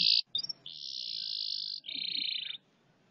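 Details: Canary with a striking voice. It sings a short bright burst, then a long even buzzing trill, then a second, lower rolling trill that ends abruptly. A quiet background hum runs beneath.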